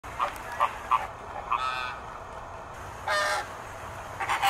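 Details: A flock of American flamingos at Philadelphia Zoo in September 2023 gives short, nasal, goose-like honks, a few quick ones then more scattered, broken by brief bursts of broad rushing noise.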